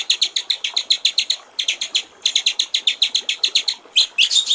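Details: Rapid, crisp chipping phrases from a white-rumped shama in the water-trickle (gericik air) style, notes evenly spaced at about six per second, short breaks between runs and a louder rising whistle to finish.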